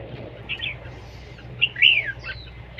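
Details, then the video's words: Red-whiskered bulbul in a singing contest, a brief pair of phrases: a soft warble, then a louder rising and falling whistled slur with a short high sweep after it. "chào mào đấu siêng ché"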